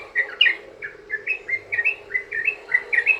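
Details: Yellow-vented bulbul 'ropel' song for luring other bulbuls: close, clear bubbly couplets of rising and falling chirps, about three phrases per second.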